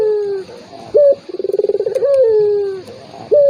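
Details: Turtle dove call for provoking a rival that is slow to call: a falling coo, a brief ringing note, a rapid pulsed rolling trill, then another long downward-sliding coo and a final short note.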